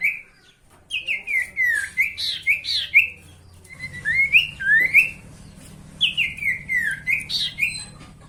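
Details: Sooty-headed bulbul song for provoking rival birds into singing, with lively bubbling whistled phrases of rising and falling notes, given in three groups separated by short pauses, over a low steady hum.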